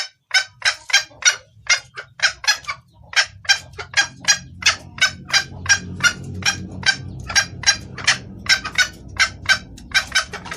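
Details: Female red junglefowl calling the male for luring: long, fast series of sharp clucks, roughly three per second, continuing over a low rumbling hum that grows louder midway.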